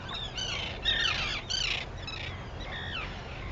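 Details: Arctic terns at sunrise on Seal Island, Maine, on 11 June 2018, give harsh, grating squawks that slur downward, several birds overlapping in quick succession over a low background rumble.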